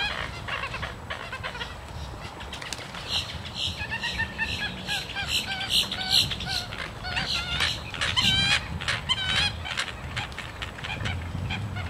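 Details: Two pairs of American coots (Fulica americana) fight in March on a park lake in Florida, kicking at each other in the water. They give nasal, wavering honks and clucks amid heavy splashing; their age and sex are uncertain.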